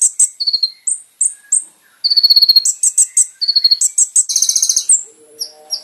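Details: Kolibri ninja song used as a master recording for training caged birds: high thin whistled notes, short descending chirps and fast buzzy trills alternate in quick succession, with one rapid rattling burst near the end.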